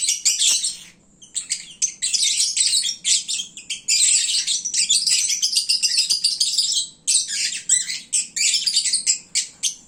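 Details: Lovebirds at midday, fed and drowsy, calling loudly together: a continuous jumble of shrill chirps and squeaky twitters broken by short gaps.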